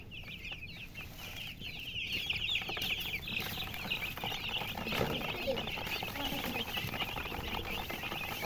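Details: Chicks chirping in a busy flock, rapid high peeps about two a second blending together, with broad hissy background noise growing in the middle.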